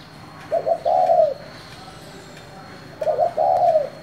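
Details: Spotted dove calling in 'thổ' style to stir other doves into responding. Two deep, mellow coos, each with a quick double lead-in and a sustained closing note that slurs downward, spaced roughly two and a half seconds apart.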